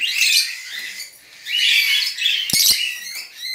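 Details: Budgerigar chicks being taken out of their nest by hand, giving harsh, raspy, buzzy chirps in bursts with short pauses between, plus a few handling clicks.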